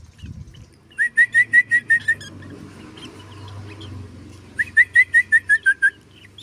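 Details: Black drongo song on a recording made for teaching other birds: two bursts of about seven short, clear, rising whistles, rapidly repeated. A quiet pause with faint low hum separates the bursts.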